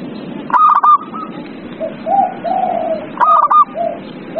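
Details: Zebra dove lure song to get a silent dove singing; two bursts of fast staccato coos separated by a series of lower, drawn-out soft coos, over constant background hiss.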